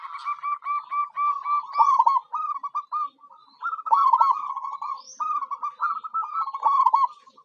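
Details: Zebra dove, a local perkutut, singing its lure song for attracting wild birds: a steady string of bubbling, trilled coo phrases, each about a second long, separated by brief gaps.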